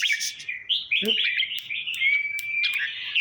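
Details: Caged red-whiskered bulbuls, Trang province, Thailand, sung to stir up other caged birds: continuous lively whistled chatter with a long steady whistle in the middle and a brief low thump.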